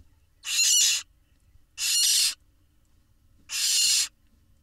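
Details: Barn owl nestlings at a nest camera in Israel, calling while parents feed them; three harsh, hissing broadband screeches, each about half a second long, separated by short silences.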